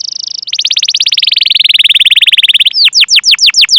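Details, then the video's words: Long rolling canary trill ('ngerol'), used as a lure for training canaries. A rapid, steady buzzy roll lasts over two seconds, then breaks into loud, sharply descending whistled chirps. "Masteran Suara Burung Kenari Gacor Panjang cuit cuit Ngerol untuk Pancingan Kenari!"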